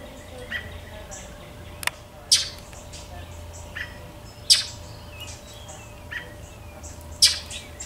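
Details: American robin alarm calls in a backyard with a northern mockingbird also alarm calling: sharp, abrupt chips every one to two seconds, some louder than others, over a steady low rumble and hiss.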